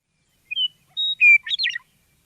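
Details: A western meadowlark, a grassland bird of Central Oregon, in spring sings a short phrase: three clear, flute-like whistles, then a quick bubbling, gurgling flourish at the end, with no other sounds.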